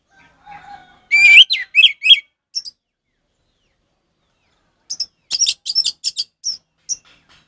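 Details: Tutor recording of an orange-headed thrush singing ngeplong for stalled cage birds: loud descending whistled notes in a short burst, a pause, then a quick series of high clipped chirps.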